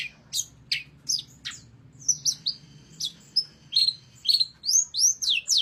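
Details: Pented, the long-tailed shrike, in full song for Indonesian bird keepers: a few separate falling sweeps, then clear upslurred whistled notes spaced roughly half a second apart, high and penetrating over a quiet background.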